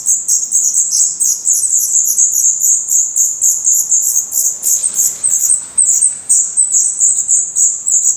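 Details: Black Redstart chicks in a Portuguese nest, eyes open and growing their adult plumage, produce a rapid, crowded stream of piercing high squeaks. A brief rustling sound comes partway through.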